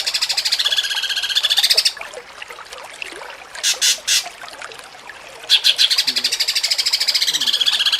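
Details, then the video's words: Cucak cungkok contest training recording in jengking munting style: a rapid pulsed trill that rises and dips in pitch, a pause with three short loud bursts, then the wavering trill resumes. "MASTERAN CUCAK CUNGKOK JENGKING MUNTING"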